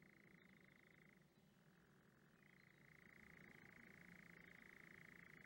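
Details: A male European nightjar churrs at night on lowland heathland in Surrey, declaring territory and advertising to mates: a fast, dry, mechanical trill that drops briefly in pitch, thought to mark a switch between breathing in and out, then runs on unbroken.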